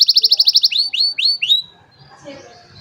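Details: An old canary on a sunny morning, cellphone recording: a quick trill of repeated high notes, then a few slower descending whistles, before the song stops and faint background noise remains.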